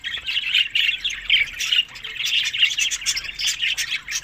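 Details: Summer feeding time for budgerigars in Larkana, Sindh: close, lively warbling and chirruping from several birds, fast squeaky notes overlapping without pause through the short stretch.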